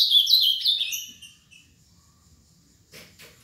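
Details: Seven-year-old caged Ultramarine grosbeak from Paraná delivers a short, high, sweet warbled phrase of descending slurred notes lasting about a second, followed by quiet and faint rustling.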